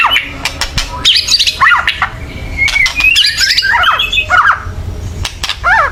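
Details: Agitated white-rumped shama chattering harshly to provoke singing; squawky downward slurs and scratchy high bursts in irregular clusters, a brief level whistle midway, clicks throughout.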